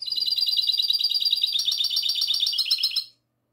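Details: Night recording from 22 March 2020 of a goldfinch hybrid in classic song: a continuous, bright, metallic trill of quick repeated high notes lasting three seconds, then stopping abruptly into silence.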